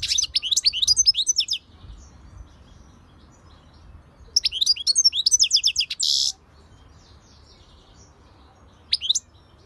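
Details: European goldfinch song in two long runs of rapid, jangling twitters. The second run ends in a harsh buzzy burst, and a lone sharp chirp comes near the end against a calm background.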